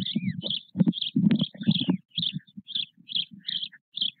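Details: White stork nest at Nové Mlýny, Czech Republic, on 8 May 2024, holding four chicks of nearly equal size with their father: loud low raspy bursts early on, then shorter rhythmic low pulses about twice a second beneath thin high chirps and one rising whistle.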